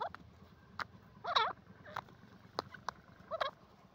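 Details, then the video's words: Francolin (teetar) calling: two short looping, warbling phrases about two seconds apart, mixed with sharp clicks and knocks over a low rumbling background. "teetar voice teetar ki boli"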